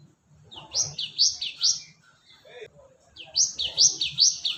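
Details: ['Cinereous tit recording used as a lure sound for attracting birds: two bursts of bright two-note phrases, each a high note sliding down into a lower one, repeated rapidly about twice per second, with faint low background rumble.']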